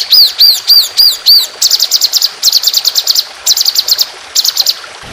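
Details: [['Trotolan songbird, training recording in an aggressive, long, rough shooting style: five arched, high whistles, then rapid bursts of very high, clipped notes in quick groups.']]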